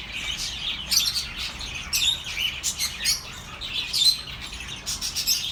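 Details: Relaxing chatter of birds for lonely pet birds: bright, high tweets and short whistled notes in repeated bursts about once a second over a background of soft twittering.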